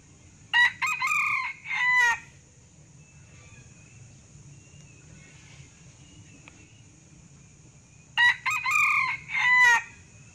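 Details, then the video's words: Male Sumatran red junglefowl, recording used as a lure call: two short, clipped crows about seven seconds apart, each broken into quick harsh syllables, over a steady high insect drone. "Suara pikat ayam hutan"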